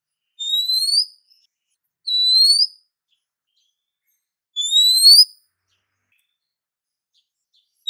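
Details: Female Oriental magpie-robin calling a male, recorded as a lure: three clean, high, slightly rising whistles spaced about one to three seconds apart, with silence between.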